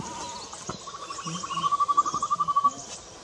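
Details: Slender-billed scimitar babbler calling at Mandala, Arunachal Pradesh, India, on 26 May 2019: a rapid, even series of mid-pitched hollow notes running for about a second and a half, with faint low background sounds.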